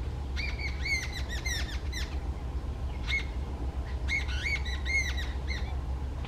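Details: One angry jungle babbler calling loudly, giving two clusters of rapid, harsh, ringing nasal notes, each run about one and a half seconds long, separated by a pause with a single note, over constant low background hum.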